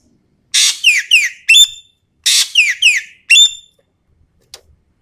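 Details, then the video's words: Sumatran common green magpie on a lure and training recording, delivering its phrase twice in succession: a raspy screech, two falling slurred notes and a loud ringing whistled note each time. "MASTERAN/PANCINGAN SUARA BURUNG EKEK KELING SUMATERA GACORR FULL TEMBAKAN"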